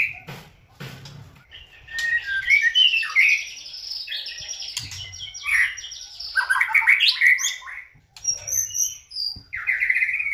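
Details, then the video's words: White-rumped shama, a popular contest cage bird, singing to provoke rivals: long buzzy trilled phrases and warbled whistles, a few low thuds, ending with scattered high chirps and a rattling trill. "JOSS LANGSUNG RESPON !!! untuk pancingan MURAI BATU agar GACOR dan LANGSUNG EMOSI bongkar isian"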